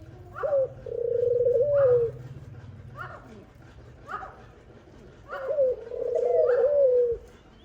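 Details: A dove feeding her young repeats two low, purring coos, each a short note followed by a long vibrating tone, with soft higher sounds and a low hum in between.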